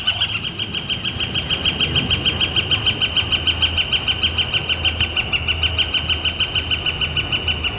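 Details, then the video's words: Northern flicker calling on a warm, clear April 28, 2014: a long, steady run of loud, evenly spaced high notes, several each second, continuing through the whole stretch over low background rumble. "Northern Flicker Calling and Drumming"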